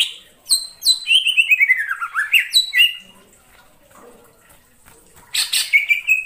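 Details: Cucak ijo lure call used in bird trapping: high chips, then a long whistled phrase sliding down and back up, a quiet gap, and a final burst of sharp notes.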